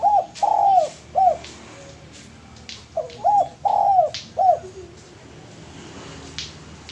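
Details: Male spotted dove for use as a lure: two coo phrases, each a short note, a long falling coo and a closing note, with scattered clicks and then quiet for the last two seconds.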